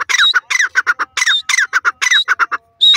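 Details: Grey francolin, known locally as teetar or dakhni teetar, calling loudly: harsh repeated phrases of a slurred squawking note followed by quick descending clipped notes, rhythmic groups repeating about every half second to second.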